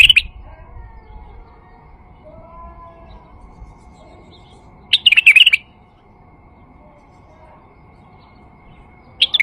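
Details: Male White-eared Bulbul singing as a lure to attract bulbuls and set a kept bulbul singing: short bright warbled phrases spaced about five seconds apart, separated by near silence.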